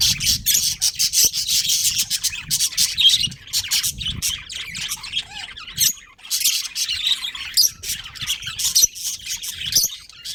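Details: Many budgies in a breeding colony chatter almost without pause, with harsh high chirps and squawks piled together, a brief quiet spell near six seconds, and some low thumps.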